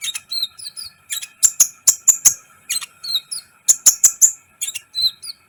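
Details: Energetic sunbird song, the local kolibri ninja, recorded as a tutor to make other birds eager: dense, continuous runs of piercing high chirps, sharp ticks and short twittered phrases, over a faint constant hum-like tone.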